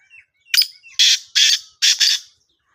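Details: Calling black francolin from Sindh, Pakistan. Harsh, grating phrase: a short lead note, then three strong buzzy notes with a doubled ending. Faint thin whistles sit in the background.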